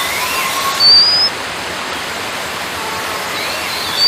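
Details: White-capped redstart giving one short, high, rising whistle. Loud rushing water like a stream or waterfall fills the background, with faint further whistles later.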